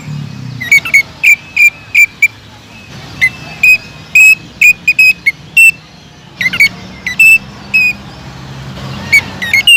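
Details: Greater green leafbird in full song, aimed at stirring other leafbirds to sing, giving clusters of sharp, clipped whistles repeated in fast groups, separated by short silences, with faint background hum.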